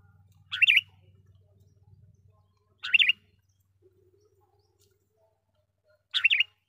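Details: Sooty-headed bulbul lure call meant to draw in wild bulbuls and prompt quiet birds to sing: three short, bubbly, warbling phrases spaced about two and a half seconds apart, with a low hum early on.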